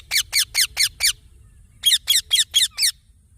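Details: Young green parrot uttering two quick series of five shrill, harmonic chirps, each note falling slightly in pitch, separated by a pause of under a second; soft low background noise.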